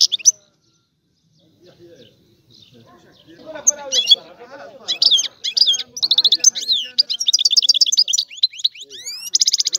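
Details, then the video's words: European goldfinch, Sicilian, singing a rare old-style song; after a quiet start with soft low rustling, a rapid twittering begins and builds into dense buzzy trills and quick rising whistles. "Canto del Cardellino"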